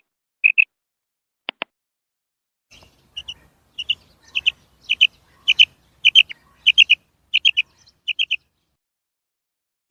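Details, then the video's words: Female quail, locally batair or bedana, opening with a few isolated double notes and two sharp clicks, then a steady series of short paired and tripled chirps; faint low thumps underneath. "Female Batair Sound"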